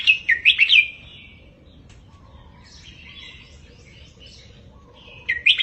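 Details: Tutor song of a red-whiskered bulbul for teaching caged birds, a burst of quick bright whistled phrases, a softer warbled middle section, then another loud whistled phrase at the end.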